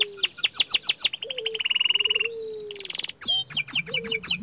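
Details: Energetic young canary, small standard type: a run of loud descending whistled notes, a fast buzzy trill, a harsh burst, then more quick swooping notes over a faint low hum.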